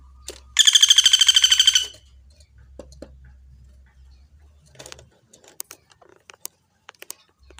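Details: Woodpecker, known locally as pelatuk bawang, in a clear master recording for training other birds: one loud, fast rattling trill of even, buzzy repeated notes lasting about a second, followed by quiet ticks and faint low hum.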